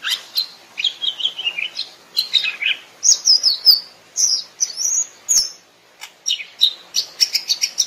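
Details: Greater green leafbird singing in the wild: a varied, busy run of sweet whistles, chirps and slurred phrases rising and falling in pitch, with brief sharp clicks between them.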